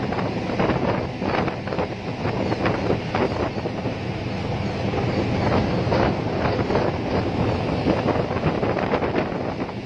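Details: Loud wind buffeting the microphone over a low rumbling engine-like drone, with no animal voice audible.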